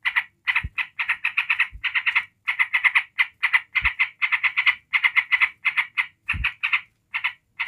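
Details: Nonstop ngebren chatter from a yellow-vented bulbul meant to rile rival bulbuls: dense bursts of raspy repeated notes in clustered runs, with a few low dull thumps in the background.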